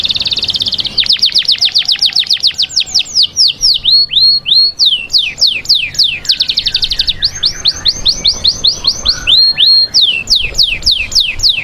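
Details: Canary song used for preparing females for breeding: loud, continuous run of fast repeated downward-sweeping whistled notes, with buzzy high trills around the start and middle, phrases changing every second or two.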